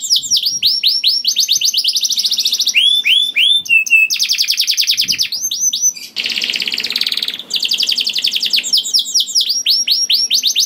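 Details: Lively canary song with long rolling trills, meant to coax other canaries into singing. Dense rapid high trills and a few clear dropping whistles lead to a rough, rattling buzz in the middle, followed by more fast trilling.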